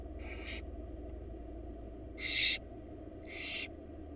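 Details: Begging barn owl young in a Florida nest box, their mother bringing food: three rasping hissed screeches, a softer one first, then two louder ones close together, above a steady low background hum.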